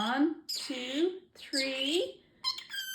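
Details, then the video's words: Male pet parrotlet talking indoors, repeating learned phrases such as peekaboo and excuse me; three rising, harmonic word-like bursts with short gaps, ending in a higher buzzy squeak. "Talking parrotlet"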